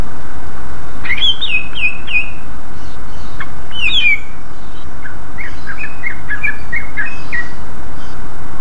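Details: Greater green leafbird in full 'ngeplong' song, used as a lure that draws quick responses from other leafbirds: bursts of quick, high, bending whistled chirps, several per second, in two phrases over loud steady broadband hiss.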